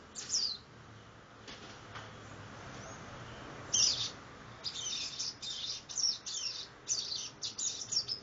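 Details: A 60-day-old copper seedeater practises the do-re-mi song. A thin high note sounds, then quiet, then a string of bright, buzzy chirp bursts, broken and uneven as the young bird learns.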